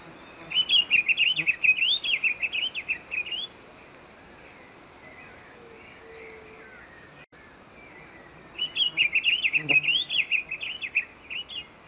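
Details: Diademed tanager, also known in Brazil as sanhaçu-frade, gives two lively warbled phrases of quick twittering notes about three seconds each, separated by roughly five seconds of near silence.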